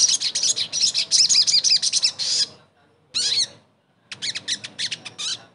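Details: Crimson sunbird (sogon) therapy song to make a bird that has stopped singing sing again: a fast run of high, sharp, twittering notes, then a brief scratchy burst and a quicker stuttering phrase after short pauses.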